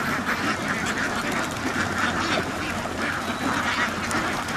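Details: Inside a duck farm house, many ducks quack at once, and the rough, nasal calls run together into an even, unbroken clamour.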